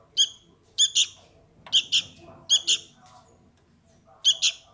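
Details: Sooty-headed bulbul chick calling its parent: sharp, high chirps given mostly in close pairs, with several gaps between bursts, over a faint low background hum.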